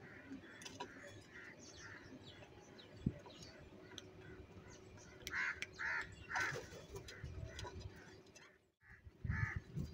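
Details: Angry crows fighting for food and eating cheese give a scattered series of harsh caws, some overlapping, against constant low background noise and a few sharp clicks.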